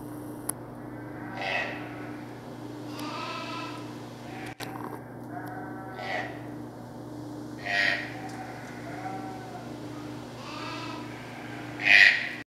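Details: Green-billed (red-breasted) toucans (Ramphastos dicolorus) give hoarse, nasal croaking calls, about six in twelve seconds at uneven intervals, over a steady low mechanical hum.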